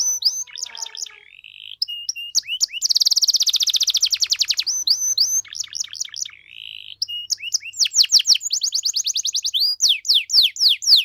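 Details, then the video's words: Canary in extended 'gacor' song with luxurious 'cengkok mewah' phrasing to provoke other canaries: varied whistled notes, several long rattling trills and bursts of steep sweeping slurs, nearly continuous and high-pitched. "KENARI GACOR DOR CENGKOK MEWAH BIKIN KENARI LAIN LANGSUNG RESPON BUNYI GACOR"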